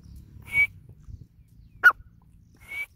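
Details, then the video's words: Grey francolin (teetar) gives three short, sharp, high notes about a second apart, the middle one harsher and louder, over a low background rumble. "Teetar awaz | Teetar ki awaz | Teetar Calling | Teetar voice | Grey francolin teetar Sound"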